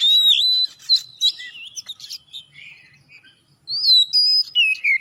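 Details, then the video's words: Singing Oriental magpie-robin, meant to spur other magpie-robins to sing: loud ringing whistles open, followed by softer rapid chatter, then bright, sweeping whistled notes close the passage. "masteran kacer gacor atau pancingan kacer biar bunyi"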